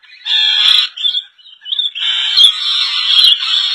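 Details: Rainbow lorikeets in a colony in Indonesia. Shrill, harsh screeching and chattering from several overlapping birds in rapid bursts, with a brief lull near the middle before the noisy calling resumes steadily.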